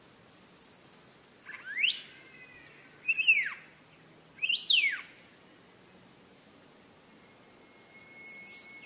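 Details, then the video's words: Green leafbird (cucak ijo) song used as a tutor recording: high, thin whistles and three bright, swooping phrases that rise and fall sharply, with a faint insect hum underneath. "Suara burung untuk masteram c ijo"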